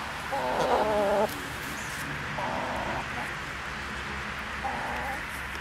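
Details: Buff and blue buff Brahma hens, a giant breed, kept on a Belgian farm: a loud, nasal, wavering call lasting about a second, followed by two softer, shorter calls against a constant background rush.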